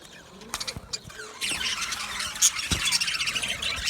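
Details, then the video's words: Male budgies, 8 December 2025: a few sharp clicks and taps in near quiet, then a sudden burst of busy high-pitched chirping chatter filling the rest. "Beautiful Male Budgies Sounds | Budgies chirping sounds"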